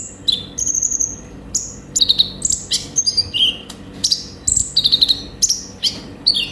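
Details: Olive-backed sunbird in energetic varied song, used as a singing lure: thin high whistles, descending slurs and clusters of fast high ticks in irregular, tightly spaced phrases.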